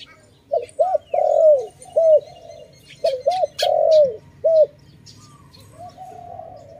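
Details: Loud dove calls recorded at a bird trap: two phrases of two short looping notes, a long swelling coo and a final short note, with a few sharp clicks and faint background cooing.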